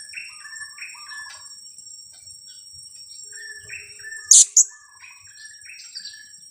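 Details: Young blue-crowned hanging parrot, two weeks old and used as a lure bird, repeats quick paired squeaky notes in bursts. A sharp loud click breaks in midway, over a constant thin insect drone.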